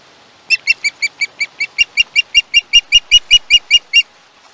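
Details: Young osprey at a Chesapeake nest on a live camera, 21 August 2019, giving a run of about sixteen short, sharp, harmonic screeches, roughly two and a half per second, growing louder and slightly longer toward the end.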